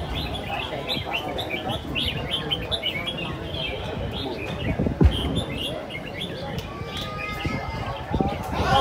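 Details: Red-whiskered bulbuls in the final round of a singing competition at Diên Khánh, Vietnam: bright chirpy phrases and quick warbled notes repeat throughout, over a steady background of crowd voices and talking.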